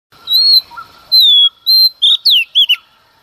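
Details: Female Oriental magpie-robin singing in the early morning to provoke males: long clear whistled notes gliding down near the same pitch, then quick slurred rising and falling phrases, over a quiet background.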